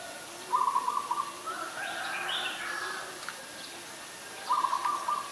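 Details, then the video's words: Ashy Woodswallow in Ubon Ratchathani, Thailand, 20 October 2021: a quick rasping run of notes, then softer higher warbling sounds, and another rasping burst about four seconds later. "นกแอ่นพง : Ashy Woodswallow"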